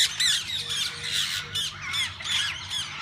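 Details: A mixed group of parakeets in a parrot zoo's walk-in aviary, birds that visitors may feed and hold. Shrill screeches and warbling chatter overlap continuously in a short, busy burst, with a faint low hum beneath.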